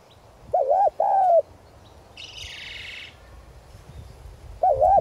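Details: Decoy spotted dove calling in the 'son' voice style to lure wild doves; a wavering coo and a longer coo, a brief hissing rustle, then another quavering coo begins.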